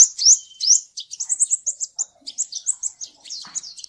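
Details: Ninja sunbird song meant as a lure to make a lazy bird sing: two high upslurred notes followed by a fast chattering sequence of thin, piercing twitters.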